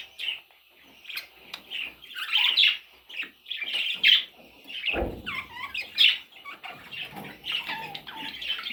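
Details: Parrot chicks chatter with rapid raspy chirps and squeaky notes, some rising and falling, in a busy continuous stream with one low thump midway.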